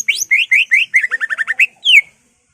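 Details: Greater green leafbird in ngentrok song used to rouse other leafbirds: loud upward-sweeping whistles, then a rapid trill of short notes, ending in one long falling whistle.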